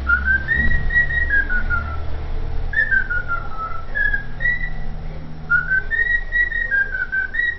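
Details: A cockatiel (Nymphicus hollandicus) whistles a learned tune, the Vasco da Gama anthem, in clear, wavering mid-pitched phrases. The tune is repeated three times with short pauses over low room hum.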